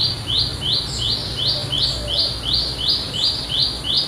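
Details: A wild olive-backed tailorbird in a village setting repeats a shrill, buzzy note nearly three times per second in an even rhythm, with a faint higher chirp now and then and low background hum.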